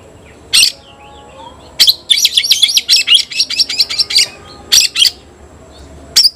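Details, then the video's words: White-rumped shama summoning a rival to fight: isolated sharp chips, then a long fast run of high bright repeated notes, followed by a few scattered single chips. "Teriakan KACER panggil lawan tarung"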